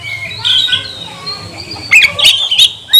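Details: Magpie-robin's provoking song, played to excite other magpie-robins into singing; thin drawn-out whistles, then a burst of sharp chips and a bright rising note at the end.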